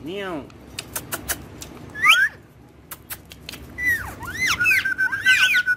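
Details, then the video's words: Pet Indian ringneck parakeets playing on a table, taught to talk in Urdu and Hindi: rising and falling squawky whistles and warbling phrases, with sharp tapping clicks between them. "Ringneck Talking Parrots Speaking In Urdu Hindi"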